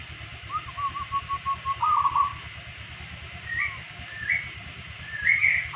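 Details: Local zebra doves in daily song: a run of short, evenly spaced beaded coos that end in a longer trilled phrase, followed by a few higher chirps. A constant low mechanical hum runs underneath.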